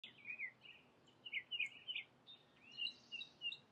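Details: House sparrows bathing give bright, slightly harsh chirps in quick irregular bursts over a steady hiss of background noise.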